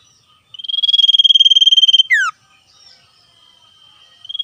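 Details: In the wild, a common iora (sirtu) gives its 'ngetir' song answering wild birds, with a sustained high rattling trill of rapid pulses about one and a half seconds long, then a swift falling note and faint softer calls.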